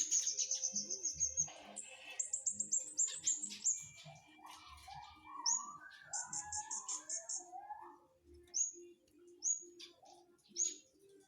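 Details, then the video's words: Flowerpecker in full song: rapid high ticking trills and stuttering notes, then scattered lower warbled phrases and short high pulsed bursts, with a steady low hum and occasional knocks. "Burung cabe cabean gacor mantep"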